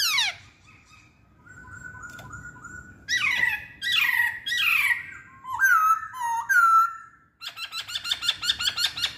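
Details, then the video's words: Chinese hwamei with a loud falling note, a long level whistle, then harsh downward-sweeping calls, two clear slurred whistles and a fast run of high repeated notes. "Kicauan Poksay Hongkong"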